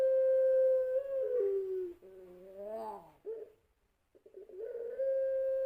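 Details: Puter pelung dove from a national champion breeding line, a long-voiced lure song: a steady, resonant held coo with rich overtones, then lower falling and rising wavering notes, a brief pause, and another long steady coo.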